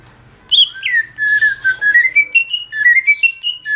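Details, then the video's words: Greater green leafbird song for training songbirds: after a quiet start, clear whistled notes slurring up and down in a flowing, repeated warble. "masteran suara burung cucak ijo"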